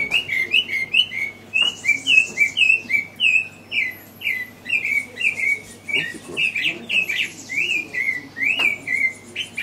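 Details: African Thrush (Turdus pelios graueri) at Kibuye, Rwanda, in March 2013, giving quick, clear, slurred chirps of similar pitch, about two a second, with occasional higher hissy notes and a faint low hum.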